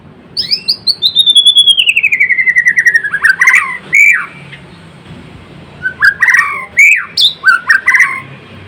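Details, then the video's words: Murai Blorok white-rumped shama in full song: a long rapid trill sliding steadily downward, followed by short loud whistled phrases and sharp clicking notes in quick succession. "Kicauan MURAI BATU GACOR (Murai Blorok gacor)"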